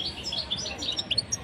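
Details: Caged goldfinches during mating, recorded in Tunisia, give rapid, tinkling twitters and short high chirps in quick succession over a faint low room hum.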